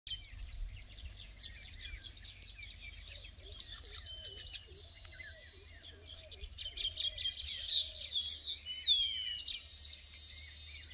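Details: Male breeding baya weavers at Pabe ghat, Pune, Maharashtra, India, in early morning in July 2022, in a busy chorus of high, dry chattering notes and wheezy whistles, many birds overlapping, over a low background rumble.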